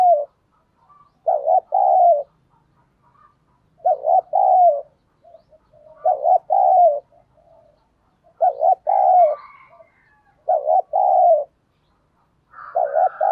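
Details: A spotted dove calls as a lure for wild birds in the thổ sấm voice. Six steady phrases, each a short stuttered pair and a longer falling coo, come every two to two and a half seconds against a quiet background.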